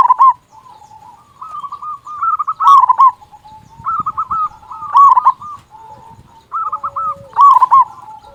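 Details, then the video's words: Loud local zebra dove singing to stir other doves into song: bubbling, rolling coos in short phrases, a louder burst recurring roughly every two to three seconds over softer chattering notes. "Perkutut Lokal Gacor Suara Besar Pancingan Burung Perkutut Agar Cepat Bunyi"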